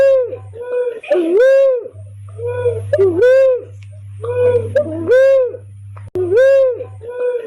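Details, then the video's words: Barred cuckoo-dove lure call used for bird trapping: deep, hollow, rising-then-falling coos, often paired, repeating about every two seconds over a steady low electrical hum. "SUARA PIKAT BURUNG UNCAL LORENG / MERPATI HUTAN AMPUH"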